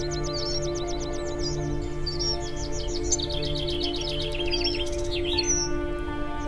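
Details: Common chaffinch (Fringilla coelebs) on Babia Góra, Poland, near the upper forest line among spruce and dwarf mountain pine, sings a rapid, high series of chipping notes, with a Water Pipit calling alongside, over steady background music.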